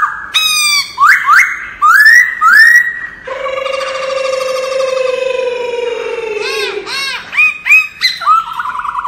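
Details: Wild-style laughingthrush song for voice training: clear rising whistled slurs, then a long, slowly falling rich tone, then a few short arching notes and rising whistles near the end.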